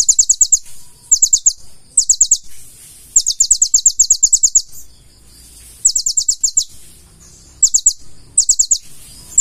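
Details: Gacor full isian song of a purple-throated sunbird (konin): thin, very high staccato notes fired in tight runs, some bursts longer, with brief silent gaps between.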